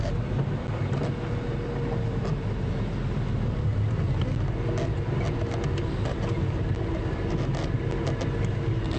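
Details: Steady engine rumble from a morning safari drive vehicle at Djuma Game Reserve, with no animal calls audible.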